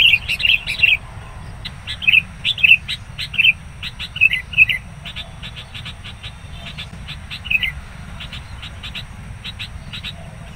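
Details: Wild sooty-headed bulbul lured by trappers, calling agitatedly as a rival approaches: loud bubbly whistled phrases early, then a run of quick sharp repeated high chips, over a steady low rumble.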